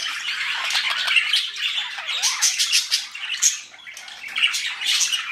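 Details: A breeding pair of budgerigars showing affection chatter continuously with scratchy warbles, squawks and bright chirps.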